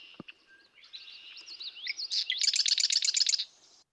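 Marsh wren song: a few scratchy, gurgling introductory notes, then a fast, tight, buzzy rattle of about ten notes with an electric quality, all over in seconds.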